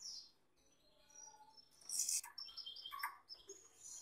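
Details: Male Gloster canary beside a female: thin high trills and twitters, a loud burst near the second mark, then varied chirped phrases.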